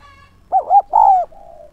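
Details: A spotted dove used as a decoy to draw in wild doves gives one phrase: two short wavering coos, then a longer falling coo, ending in a soft fading murmur.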